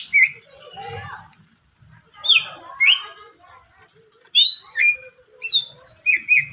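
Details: Greater green leafbird song aimed at rousing other leafbirds, given in scattered bursts of sharp whistled and chirping phrases separated by quieter gaps.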